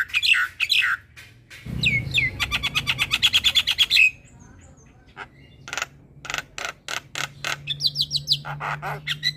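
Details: Masteran singing of a gacor Javan myna, meant for training young mynas: loud squawks, then a rapid run of even chattering notes for about two seconds, a short pause, then more harsh scratchy bursts and high buzzy notes.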